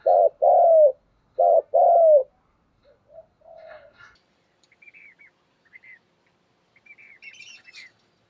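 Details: A spotted dove decoy delivers driving 'thúc gù' coos: two quick husky double-note phrases, then a short soft coo. Thin high chirps from another bird follow in the later seconds.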